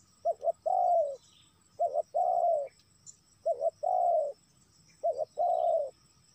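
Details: Spotted dove call used to lure wild doves: loud cooing phrases around 500–800, each a quick double note followed by a longer slurred coo, repeated about every 1.6 seconds over a quiet background.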